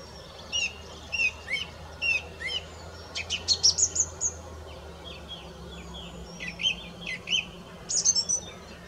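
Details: Song thrush singing: short whistled phrases, each repeated three or four times before switching to a new motif, with sharp high notes in between and a faint low hum underneath.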